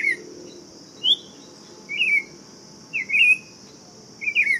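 Buff-throated Saltator giving short, sweet warbled phrases about once a second, over a steady high hiss, probably insects, and low background rumble.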